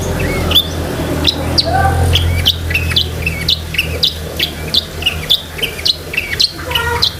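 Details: Chatty long-tailed shrike song packed with filler phrases, meant for training pet shrikes: a stream of varied short whistles, slurred upslurs and chips, roughly two per second, over a constant low hum.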